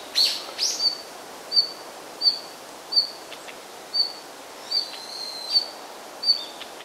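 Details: Red-flanked bluetail (Tarsiger cyanurus) call: about nine short, high, thin whistled notes, spaced roughly every second, over a quiet rural background.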